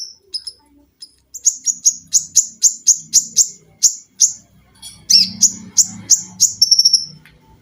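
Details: Olive-backed sunbird (konin) singing tembakan rapat, mesin jahit, lengkingan and besetan for cage-bird tutoring: a fast, even series of shrill notes about three per second, ending in a quick trill, over a low hum.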